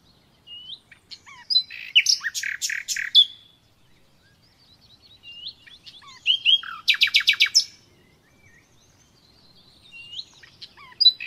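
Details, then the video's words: Nightingale song heard naturally, with two phrases of loud, rapidly repeated clicking notes separated by softer whistles and chips, plus a few upward-curving whistles near the end. "Doğal Bülbül Sesi Dinle"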